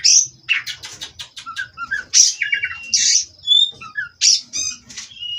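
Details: Oriental magpie-robin kept in captivity, Cirebon lineage, pouring out scratchy buzzy bursts, quick rising and falling whistles and trilled notes about twice a second, over a thin continuous high tone.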